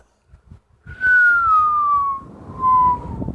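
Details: A female pet Amazon parrot gives a clear, pure whistle that slides slowly downward, then repeats a shorter falling note, a little like a siren, over faint background noise; her owner thinks she loves hearing herself.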